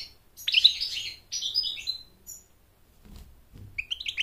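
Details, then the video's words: American goldfinch singing to attract a mate and train chicks: two loud bursts of high, dense twittering, a near-silent gap with faint low thumps, then a closing string of rising chirps. "Goldfinch sings to mate Goldfinch sings to train chicks to sing"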